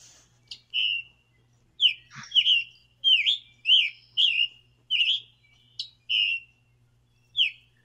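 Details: Scarlet tanager (Piranga olivacea) song, a hurried, burry, repetitive warble of short robin-like phrases, roughly one every half second to second, over a faint low hum.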